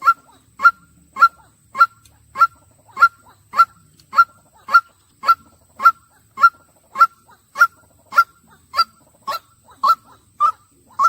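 White-breasted waterhen giving a harsh, honking note over and over at a steady pace, nearly two per second, with no other sounds.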